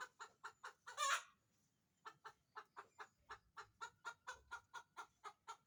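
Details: Chicken cackling while laying an egg: quick clucks, one loud rasping squawk, a short pause, then a long even train of about fourteen clucks at a brisk steady pace.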